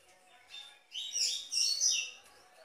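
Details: Double-collared seedeater singing the Tui Tui song style, a full, clear recording used to warm up and train captive birds; high buzzy, sweeping phrases in two bursts after a softer opening note.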